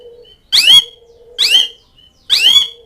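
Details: Calls of an Asian pied starling directed at mates and rivals: three loud, harsh, rasping notes about every 0.9 seconds, with a faint steady tone humming between them.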